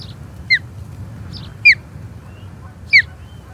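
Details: Osprey calling at the Charlo nest on 21 April 2022 during a skirmish with an intruding third osprey: three loud, piercing, downslurred whistled chirps spaced about a second apart over a quiet low hum.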